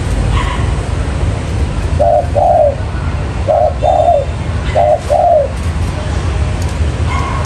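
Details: Lure recording of a spotted dove cooing in three two-note phrases, each a brief coo followed by a drawn-out, slightly falling coo, with a faint higher call early on and low background hum.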